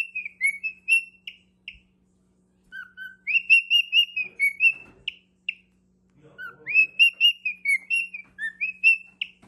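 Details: Pet male cockatiel whistling a courtship song for his partner in three phrases separated by short pauses. Each phrase is a rapid string of pure, high whistles with occasional lower notes, over a faint steady hum.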